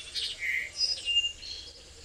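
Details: A few clean whistled notes from a brown-throated wattle-eye, a resident bird recorded while travelling, each at a different pitch in quick succession, against faint background hiss.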